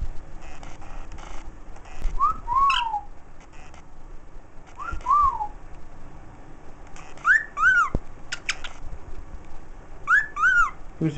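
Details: A pet bird whistling the Andy Griffith theme: short clear whistled phrases, each sliding up and then falling, repeated every few seconds, while a person nearby repeatedly says "pretty bird".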